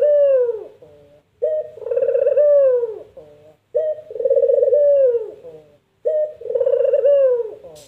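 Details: A puter dove repeats its distinctive 'empuk jeruu' coo four times, roughly every two seconds. Each phrase opens with a short note and swells into a long, rough, rolling coo that falls away, followed by a soft trailing note.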